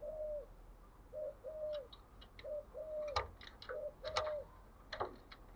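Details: Spotted dove delivering thúc gù style cooing: short, low, soft hoots in quick bursts of two or three, repeated through the clip, with sharp clicks and taps in the background.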